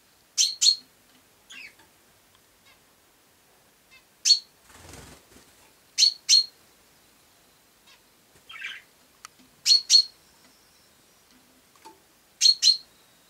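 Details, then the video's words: Sparrow chirping in loud paired notes, two quick high chirps repeated every few seconds, with a soft rustle and a few faint chirps between pairs. "Serçe Kuş Sesi"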